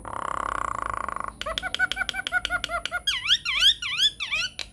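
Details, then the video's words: Lure song of a chatty Nias hill myna, used to coax non-singing mynas into replying: a steady buzzy rattle, then a quick string of clipped notes and a series of looping, whistled up-and-down swoops. "SUARA PANCINGAN JALAK NIAS GACOR BIKIN JALAK MACET LANGSUNG NYAUT"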